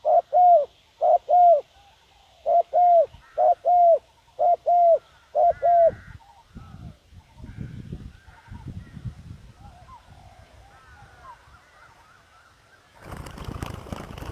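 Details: Decoy spotted dove luring wild doves, giving crisp paired low coos repeated about once a second for six seconds. Rustling and muffled knocks follow, and a burst of loud broadband noise comes near the end.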